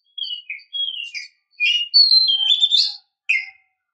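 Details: Oriental magpie-robin female used as a lure to rouse a male into song, giving clear descending whistles, buzzy twitters and a rich warbled phrase in short bursts separated by brief pauses.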